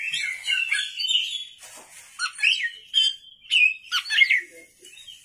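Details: At night, a vigorously singing Oriental magpie-robin (kacer) delivers a rambling string of whistles, scratchy chatter and sliding notes, growing more broken toward the end.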